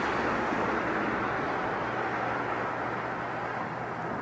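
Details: A steady, dense rumble of passing traffic with a low engine hum running throughout and no animal voices.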